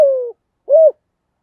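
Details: Spotted dove used as a decoy to stimulate wild doves, with a voice in the thổ style: two clean mid-pitched coos, the first long and slightly falling, the second shorter and arched, with a pause between and no other sounds.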